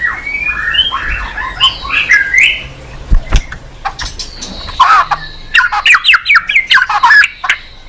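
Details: White-rumped shama (murai batu) lure song for prompting a lazy-singing caged bird to answer. Varied whistled phrases, then a fast series of rising and falling chirped notes, with vehicle noise underneath.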